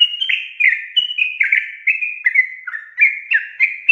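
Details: Sooty-headed bulbul giving an extended 'ropel' song to set off other bulbuls: a steady stream of liquid, gurgling whistles, each phrase falling then rising, with no background sounds.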